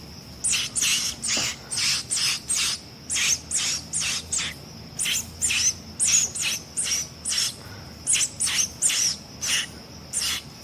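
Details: Sayaca tanager nestling being cared for by hand, giving a long run of rasping, broad, shrill calls, about two per second, fairly steady in rhythm, over a quiet low hum.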